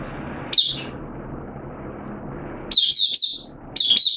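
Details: Caged oriental white-eye in an open singing session, 8 September 2022, form slightly down; one short high note, a long quiet stretch with low hum, then two brief bursts of high warbling.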